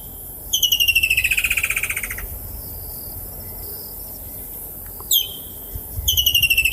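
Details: A woodland kingfisher in southern Africa gives its distinctive call, a long, high trill of rapid pulses that slides downward and fades, then a sharp single note before the trill starts again.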